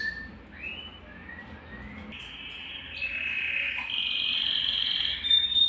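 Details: Quieter passage of Belgian canary song, aimed at stimulating males and bringing females into breeding condition: gliding rising whistles, then a sustained warbling tone that steps upward and grows louder toward the end.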